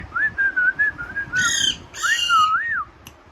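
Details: Alexandrine parakeet calling in a natural voice: a wavering whistled phrase rising and falling, broken by two harsh, buzzy squawks, then a looping whistle.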